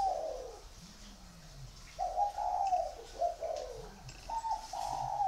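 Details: Spotted dove cooing: soft, hollow coos repeated in phrases, each note sliding slightly downward, with short gaps between phrases and quiet background hiss.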